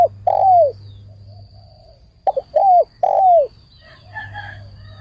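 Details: Spotted dove calling close by. Long falling coos are preceded by short stuttering notes, and faint chirps from another bird come near the end.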